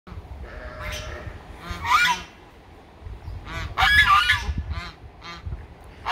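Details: Domestic geese honking at a farm kept with ducks, pigs and sheep; loud nasal honks come in bursts near two and four seconds, with shorter honks between and low rumbling noise underneath.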